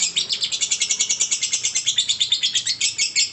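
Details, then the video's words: High, rasping lovebird trill in the ngekek style, about six or seven shrill pulses per second, unbroken and loud throughout. "ngekek durasi panjang"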